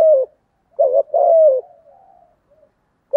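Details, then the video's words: Spotted dove lure bird with a deep 'giọng thổ' voice giving 'thúc gù' urging coos. Two short clipped notes run into one long, slightly falling coo, followed by soft trailing murmurs in a quiet setting. "cu gáy giọng thổ thúc gù đẹp mã hót hay mở lên kích bổi hiệu quả"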